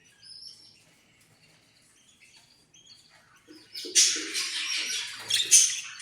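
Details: Faint thin whistles, then an Australian parrot bursts into loud, grating squawks for the final two seconds.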